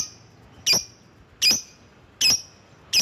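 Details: Lovebird lure call to attract rivals: piercing high squeaks repeated at a steady pace, about one every 0.8 seconds, with a quiet background.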